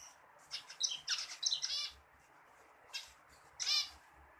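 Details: Zebra finch singing a quick run of nasal, buzzy notes and short clicks, then a pause and two more honking, harmonic-rich notes, the last one longest and loudest.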